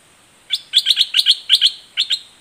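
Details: Red-whiskered bulbul of the southern Thai type, singing its doubled, fierce song: a quick string of bright chirping notes in pairs, lively and bubbling over a steady high hiss.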